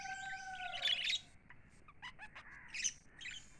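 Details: Pet lovebirds chirping: a couple of steady whistled tones at the start, then a loud burst of bright high chirps and scattered short tweets with quieter gaps.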